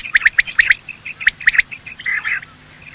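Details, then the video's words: Morning quail calls from both sexes, used as a hunting lure: a tight cluster of bright, clipped notes, then evenly spaced pairs, a soft trailing chatter, and a final single note. "Quail calling sound"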